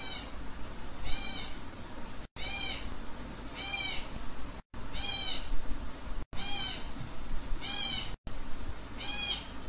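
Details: Hand-fed African grey parrot chicks give rasping, harmonic squawks in pairs, roughly one per second, repeated steadily through the feeding, with low background hum.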